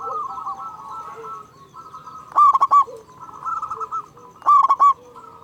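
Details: A local zebra dove, a strong frequent caller with a big voice, gives two loud phrases of rapid ringing coos about two seconds apart. Fainter trilled cooing from more doves fills the gaps.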